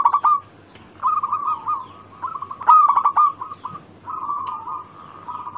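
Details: A local zebra dove sings as a lure for other doves. It gives soft, rolling strings of cooing notes at a steady pitch, broken by short gaps, with a sharper burst of notes near the middle.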